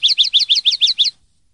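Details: Common linnet, a cage-training recording of clean linnet song: a rapid series of seven bright, twittering notes, each a quick rising-and-falling chirp about every sixth of a second, ending abruptly.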